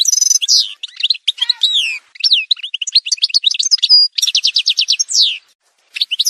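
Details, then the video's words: Edited montage of Algerian goldfinch song, subspecies parva: varied fast twittering, sliding whistles, a steady rapid ticking trill and a falling buzzy note, nearly without pause. "تسجيلة مونتاج روعة الكل يلقم العام هذا | chant chardonneret montage"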